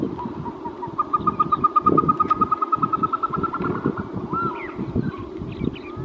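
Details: Caspian snowcock calling a fast, evenly paced series of short whistled notes slowly rising in pitch, then a looping whistle, over heavy low thumping and rumble.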